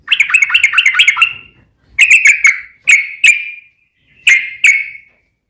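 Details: Sooty-headed bulbul in a long-rolling lure song meant to prompt other bulbuls to answer: a quick run of bubbly, liquid whistled notes, then separate pairs of clear, rich warbled notes with brief silences between them.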